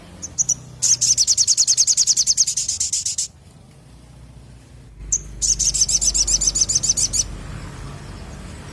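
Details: Sogon bird in lively song: two long, fast trills of high-pitched repeated notes, each lasting about two seconds, with a short quiet gap between them and low background rumble.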